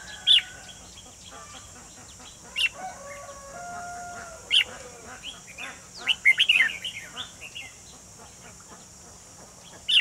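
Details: Red-whiskered bulbul used as a trap decoy to lure a wild white-cheeked bird, 28 June 2020: short, loud, liquid whistled phrases at irregular intervals, with a steady high hiss, level whistled tones and other birds chirping behind.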